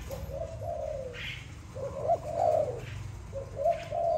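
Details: Zebra dove, a pet, cooing: soft, low, rolling phrases with a slightly bubbling quality, repeated in quick succession over a faint low hum.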